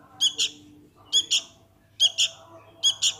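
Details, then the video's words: Young sooty-headed bulbul calling for its parent, giving sharp high double chirps about every second, each pair of notes quick and bright, with a faint low hum underneath. "SUARA ANAK KUTILANG MEMANGGIL INDUKNYA"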